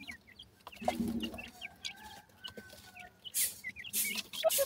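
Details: Partridge chicks being fed, likely a yellow variety; short high chirps and peeps scattered across the recording, some louder rustling bursts near the end, with a low clucking sound around one second.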